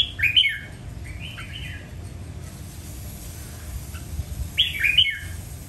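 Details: Red-whiskered bulbul singing: a loud warbled whistled phrase, a softer echoing phrase, a pause of about three seconds, then another bright slurred phrase, with low background hum.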